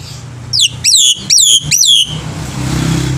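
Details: Black-winged myna singing in the morning as tutor for young birds: four loud, harsh, falling squawks in quick succession, then low engine-like rumble.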